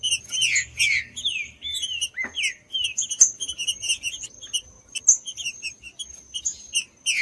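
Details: Warm-up song of a green-winged saltator meant to rouse a cold bird: a burst of whistled and chirped notes, a sharp downward slur near the middle, then scattered short high notes over a steady faint tone.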